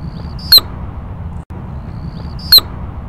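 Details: Male Anna's Hummingbird courtship dive: two sharp, explosive chirps about two seconds apart over a low rumble. The sound comes from tail feathers fluttering in the airflow, is louder than its song, and carries 100+ metres; females may favour loud sounds.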